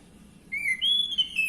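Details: Orange-headed thrush song for stirring a male to sing: one short whistled note, then a longer clear whistle that rises slightly and slowly falls, over low hum.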